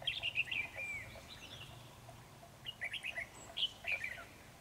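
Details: Red-whiskered bulbul at a trap, a 'Ché' bird in full song against the decoy: a rapid burst of sweet whistled notes, a pause, then another quick warbling burst, faint low hum behind.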